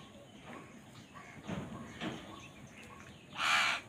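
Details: Crows squabbling over food: quiet background for most of the stretch, with soft distant sounds, then a single loud, harsh, rasping caw near the end.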